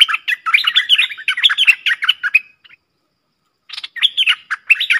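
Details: Two streak-eared bulbuls in a heated song duel, 30/10/2021, used as a lure sound: fast bubbly chattering phrases of quick up-and-down notes, a pause of about a second, then the chattering resumes.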